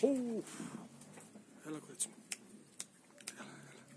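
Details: Pomeranian pouter pigeons: two brief, low, hollow coos, the first a short falling note, the second fainter, followed by a few soft clicks and taps in a quiet room.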